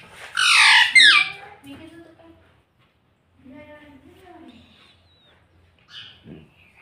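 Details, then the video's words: Talking parrot that speaks mummy and papa: two loud, high, harmonic syllables with sliding pitch in the first second, followed by soft, low human speech and a faint high call near the end. "Talking parrot with you - bolne wala tota - mummy bolne wala tota - papa bolunga"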